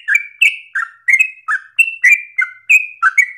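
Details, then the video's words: Yellow-vented bulbul, loud and insistent, delivering a song for other birds to copy: about nine fast whistled notes in three seconds, slurring down and jumping back up in pitch. "Trucukan gacor ropel ngotot nafas panjang ini cengkok paling gampang ditiru trucuk bahan"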